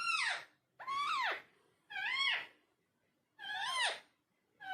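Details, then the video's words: A talking parrot in a room gives four loud, arching, nasal calls, each falling away at the end, roughly one per second, over a soft background hum. "Talking Parrot"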